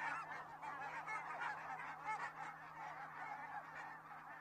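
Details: A big gathering of geese honking nonstop in Estonia on the morning of 15 October 2017, many nasal, yelping voices layered into a thick chorus over a constant low hum.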